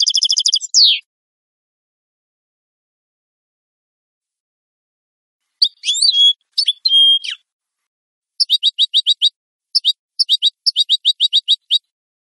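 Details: European goldfinch song for training captive birds: a brief twittered burst, long silence, a few harsher downslurred notes, then spaced groups of quick, high, metallic chirps.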